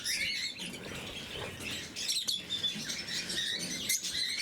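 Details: Several lovebirds of the blue mutation chattering during morning feeding, a steady stream of high, piercing chirps and short squeals with occasional wing flutters.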